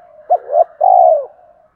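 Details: Single phrase of a spotted dove's full song, used to provoke wild doves: a short clipped coo, a rising coo, then a long mellow purring coo trailing into a faint hum.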